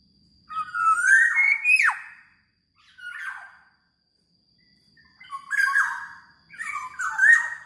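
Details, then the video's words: Black-naped oriole, described as very vocal, sings several fluty phrases over eight seconds: a rising whistled run ending in a sharp downslur, a short muffled note, then two richer warbling whistle phrases; faint steady high tone behind. "Burung Kepodang Super Gacor"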